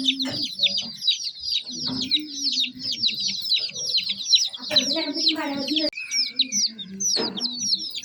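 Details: Young chicken chicks chirp nonstop, a crowded layer of shrill, quickly repeated peeps sliding downward, while a low voice-like murmur and a few louder noises come through in the middle and near the end.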